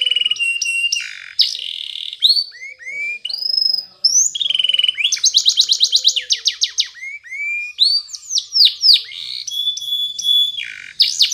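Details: Morning training song of a Spanish Timbrado canary: held whistled tones, a fast dense rolling trill, sweeping upslurs and repeated clipped notes, delivered without break.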